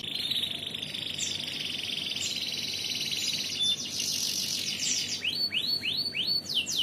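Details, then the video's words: Domestic canary singing in full voice, a competition-style gacoran song from Indonesia: a steady high buzzy roll at first, then fast falling whistled notes repeated about twice a second toward the end. "Kenari Gacoran"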